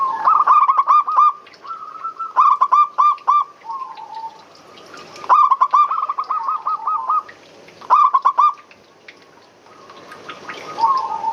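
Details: Varied zebra dove calls meant for luring birds: repeated runs of fast, throaty coo notes at a steady pitch, broken by softer warbled phrases and pauses, five or six bursts in all.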